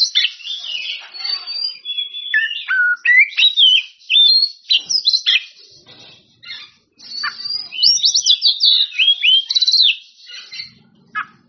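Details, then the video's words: Loud challenge song of an Oriental magpie-robin calling rival birds: quick phrases of rising and falling whistles mixed with raspy chatter, about two notes each second, with a pause mid-clip before a buzzy high flourish. "Kacer Gacor On Play Ngeplong Manggil Lawan"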